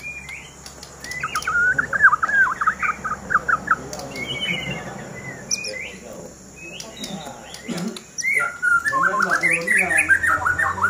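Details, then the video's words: White-rumped shama, a fighter bird shown in action, singing rich varied phrases of whistles, trills and sharp chirps in rapid bursts, with brief pauses and people talking in the background. "Murai Batu King Fighter"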